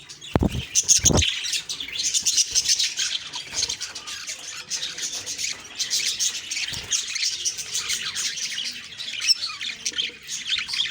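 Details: Morning budgie chatter recorded October 2, 2023: a busy mass of high, buzzy chirps and twittering from several birds, interrupted early by two sharp knocks and a later thump.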